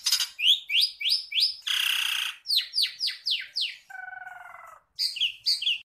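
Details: An Oriental magpie-robin sings in full voice while fanning its tail and swaying: a lively run of quick downslurred whistles, broken by a harsh buzzy burst and a lower nasal rasp, then more bright whistles.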